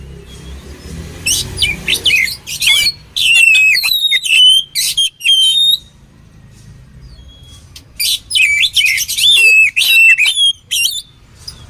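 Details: Oriental magpie-robin song used for training birds, with dense bursts of sweeping whistles and scratchy notes in two busy runs separated by a quiet gap of a few seconds.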